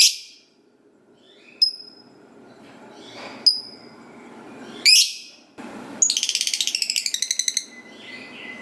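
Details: Chattering lovebird song meant to coax other lovebirds into singing: isolated piercing high chirps with quiet gaps, followed by a quick run of about twenty rapid clicking notes in a long ngekek-style chatter.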